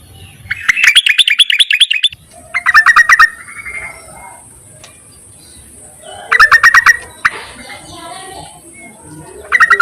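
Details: Yellow-vented bulbul calling males, used to lure birds: loud bursts of fast, harsh, stuttering chatter, each about a second long and repeated several times with quiet gaps, over a faint steady high hiss.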